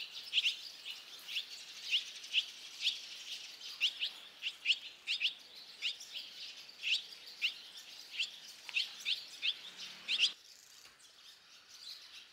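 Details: Barn swallow chicks fledging, a brood of five that left the nest within two and a half minutes; steady run of sharp high chirps for ten seconds, then an abrupt drop to quiet hiss.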